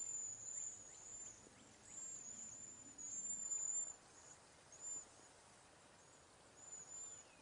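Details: Cedar waxwing flock feeding in a backyard and passing berries and insects, giving a series of short, very high, thin trilled whistles at irregular intervals, with faint other chirps below.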